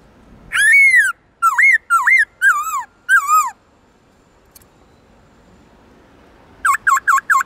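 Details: Black-throated laughingthrush in forest-voice song for coaching other birds: five loud curving whistles with strong overtones, a pause of about three seconds, then four rapid V-shaped whistles.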